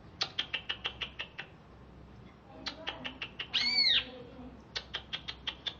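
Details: Caged greater green leafbird from Alas Purwo, Banyuwangi, calling right after a bath: runs of sharp, evenly spaced high ticking notes, one loud arched squeal in the middle, then another ticking run.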